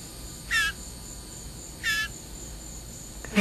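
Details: Blue jay kept and hand-fed, calling because it is hungry: two harsh, slightly downslurred shrieks about one and a half seconds apart, against a quiet indoor background.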